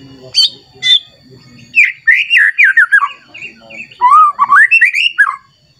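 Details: Agitated white-rumped shama singing competitively at a rival: two short high calls, then fluid warbled phrases falling in pitch, followed by a rising series of rich whistles, with faint low rustling underneath.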